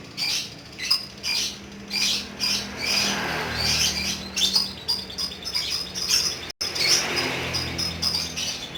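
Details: Lovebird in spirited ngekek song: long stretches of piercing, rapid chattering, with pulsed high bursts repeating about every half second and one brief cut in the sound.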